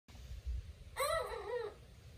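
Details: Young rooster about 20 weeks old, just starting to crow and finding his voice: a single short, hoarse, wavering crow lasting under a second, cracking and dipping in pitch, over low background rumble.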